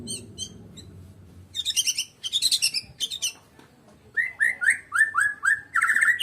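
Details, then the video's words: Medan white-rumped shama song mixing dense high chattering bursts with a later series of rich, down-slurred whistled notes repeated quickly. "KICAUAN BURUNG MURAI BATU MEDAN TANPA LAWAN"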